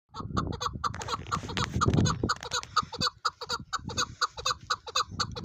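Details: Chukar partridge giving a rapid run of short, clucking chuck notes, repeated roughly twice a second with clear ringing overtones, over a patch of low rumbling noise in the first half.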